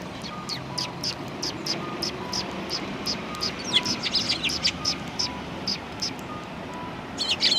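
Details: Eurasian tree sparrows, recorded 28 December 2019: scattered high chirps becoming denser midway as several birds call together, over a background of traffic-like rumble.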